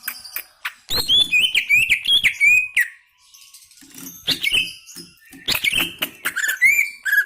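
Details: Greater green leafbird singing energetically: sharp clicks open into a rapid, varied string of high whistled slurs and chirps, a brief pause near the middle, then a renewed burst of bright whistles and chips.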